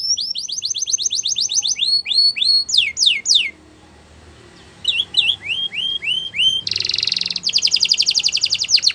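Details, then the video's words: Canary singing for training: rows of rapid rising chirps, steep falling sweeps, a short pause, more rising notes, then a harsh buzzy burst and a fast rattling trill. "Canary Bird Sounds | Canary Training"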